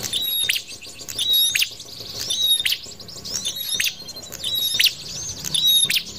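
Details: Prinia sound played to lure birds for trapping: rapid, bright twittering chirps and a thin whistled note recurring in bursts nearly once a second, high and sharp throughout.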